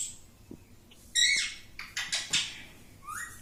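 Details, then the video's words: Parrot that talks and says "mittu": a burst of raspy, bright squawks and clicky chatter, several short strident notes in quick succession, ending with a thin rising whistle-like note. "मीटु मीटु बोलने वाला तोता - mittu mittu me mittu taking parrot"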